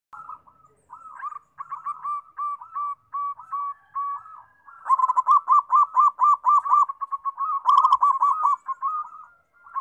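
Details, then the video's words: Zebra dove (perkutut) singing very actively: rapid runs of short, soft, bubbling coo notes at a steady mid pitch, about four per second. The notes grow louder and denser in the second half. Faint higher chirps are heard briefly. "PERKUTUT SUPER GACOR, BIKIN RAME"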